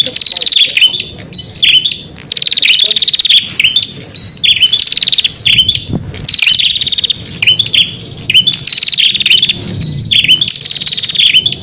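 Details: Prinia calling song for attracting wild birds: repeated bursts of shrill, fast-trilled chirps with sharp upward flicks, each burst lasting one to two seconds and recurring steadily, with a low background hum.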